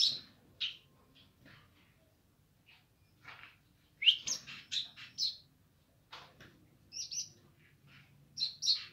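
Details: Streaked spiderhunter in gacor nganar song: scattered high chirps with pauses, a cluster of loud, buzzy notes in the middle, and a few more sharp notes near the end, over a low background hum.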